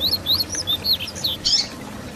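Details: Double-collared seedeater, 'grego' song, used to stimulate and train birds: a short string of bright, high, sliding whistled notes, each slurred up and down, in quick succession.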